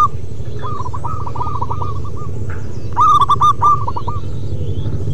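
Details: Local zebra doves in long-singing form, several birds overlapping: a distant run of quick cooing notes, then a nearer, richer trilled coo phrase near the three-second mark, with a continuous low hum beneath.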